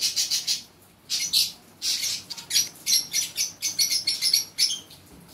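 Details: Green lovebird singing during mating; high, shrill chirps and squeaky chattering come in quick bursts, pausing briefly then resuming in a rapid run of sharp notes, with no other sounds.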